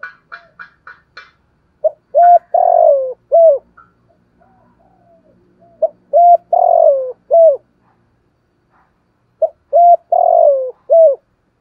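A spotted dove gives three phrases of low, hollow cooing, each a short coo followed by a longer drawn-out one, spaced about four seconds apart; faint chirps open.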